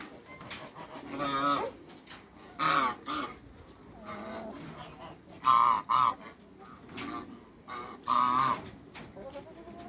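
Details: Two big African geese in a backyard with other waterbirds honk loudly and harshly, paired blasts and single calls spaced a second or two apart, with quiet gaps between.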